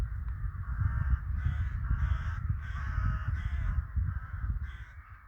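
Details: Crows in a winter village call loudly: a series of harsh, strongly nasal caws, each about half a second long, repeated rapidly over a low background rumble.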